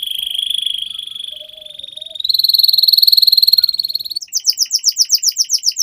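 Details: Canary in long, continuous gacor song, used as a masteran tutor recording to get young canaries singing: a fast rolling trill near one pitch that steps slightly higher, then a rapid series of sharp, repeated downslurred notes.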